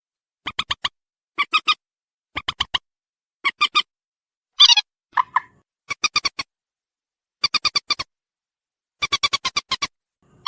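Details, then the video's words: Waterhen call played as a bird-catching lure: clusters of three or four short, clipped, harmonic pulses repeated every second or so, broken once by a buzzier, higher double note. The background is silent between bursts. "suara pikat burung mandar sawah"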